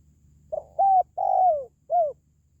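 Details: A single four-note cooing phrase of the spotted dove, meant to stimulate pet doves or call in wild ones: soft first note, steady second, a drawn-out descending third, a brief downturned ending.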